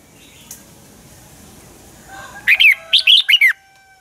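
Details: Red-whiskered bulbul used as a lure bird, dueling song: after a quiet start, one phrase of five bright, bouncing whistled notes falling in pitch at the end.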